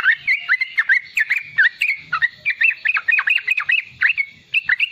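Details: Sooty-headed bulbul, a young bird singing the riwikan style used to train other bulbuls: emphatic, slightly harsh notes that swoop downward, rising again between them, given roughly four to five per second.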